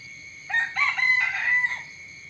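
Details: Rooster giving a morning cock-a-doodle-doo: raspy opening notes run into a long, strained middle and a brief falling finish, with steady insect trilling underneath.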